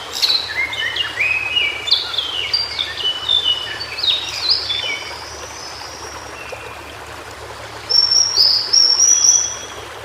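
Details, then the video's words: White-browed shortwing in its natural habitat sings a rapid tumbling sequence of high whistled notes that climbs in pitch, then falls quiet before a final thin, very high sustained whistle; gentle hiss throughout. "Suara Burung Cingcoang Biru Di Habitat Aslinya"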